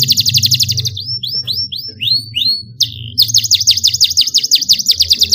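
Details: Young canary learning song, responding to a model recording of elaborate canary song with rolling trills: a fast buzzy trill, then a run of sweeping downward-slurred whistles, then another rapid pulsing trill, over a low background hum.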